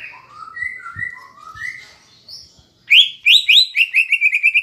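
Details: Caged cucak ijo singing a lure song with kapas tembak fill meant to rouse another bird: soft varied whistles first, then loud rapid repeated down-slurred chips, about eight in two seconds.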